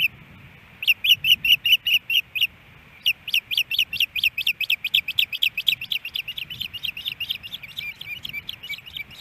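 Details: Ospreys at a nest in Hellgate Canyon, Missoula, Montana, early morning on April 18, 2018, around a fish delivery: series of sharp high chirping whistles, about two per second, pausing briefly then resuming in a long steady run.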